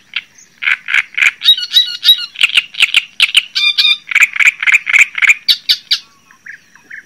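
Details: Java sparrow chattering song: a rapid run of short, clipped chip notes about four per second, interrupted twice by brief bursts of ringing, harmonic notes, then a few softer chips at the end.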